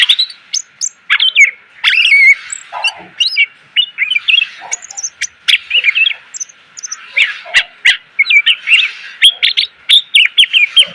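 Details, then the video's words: Loud, phrase-packed greater green leafbird song used to tutor cage birds: continuous rapid chattering of whistles, trills and sharp ticks, with quick up-and-down slurred notes throughout. "MASTERAN CUCAK IJO SUARA PLONG!!! ..penuh isian.."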